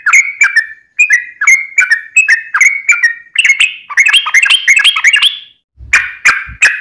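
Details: Yellow-vented bulbul in chatty fighting song with long rapid 'ropel' rolls, used as a lure for kept birds: bubbly whistled phrases repeated about twice a second, rising higher mid-clip, then a pause and three harsher notes with low thumps.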